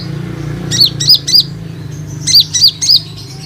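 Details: Olive-backed sunbird lure call meant to draw other sunbirds: two bursts of three sharp, high, down-slurred chips, each burst lasting under a second, against a soft low background hum.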